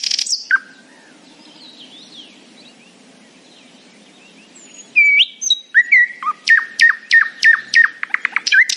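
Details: Nightingale in the morning, mostly faint soft warbling for several seconds, then loud whistled notes and a fast series of sharp, evenly repeated chips.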